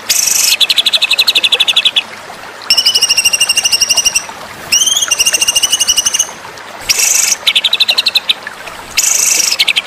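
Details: White-rumped shama tutor song for contest training: bursts of rapid, buzzy pulsed trills alternating with clear whistled note series that rise and bend, separated by brief pauses, with faint background hiss.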